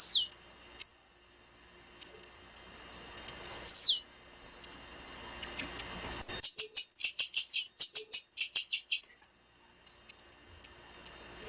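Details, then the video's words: Female blue-black grassquit calls, played to excite male birds and stimulate their song: thin, very high whistles sliding steeply downward, then a fast burst of about a dozen sharp, dry chips near the end. "PIADO DE FÊMEA DE TIZIU PARA ESQUENTAR TIZIU"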